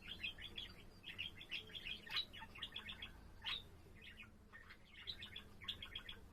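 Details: A pet budgerigar's chattering warble, recorded 7 April: clusters of rapid twittering chirps with a few harsher scratchy notes, broken by short pauses, over a low background hum.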